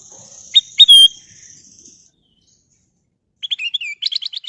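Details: Golden bulbul singing a short phrase: two quick clipped notes, then a clear slurred whistle, over a steady high hiss. After a pause comes a burst of rapid chattering, twittering notes.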